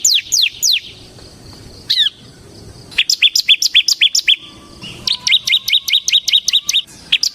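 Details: Ciblek semi, a bar-winged prinia, singing in gacor ngebren style as a training lure: a few steep downslurred notes, a lone buzzy trill, then long fast series of high, even chirps.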